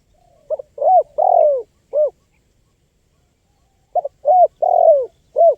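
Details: Spotted dove cooing, used to lure wild birds: two four-part phrases, each a short clipped note, a steady coo, a long drawn coo sliding downward, then a short final coo, with a pause of about two seconds between phrases; quiet background.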